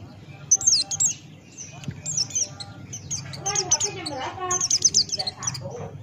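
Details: Buxtoni white-eye singing in the gacor ngalas open-beak style: high, thin downslurred whistles in quick bursts, with softer chatter and low background hum between the phrases.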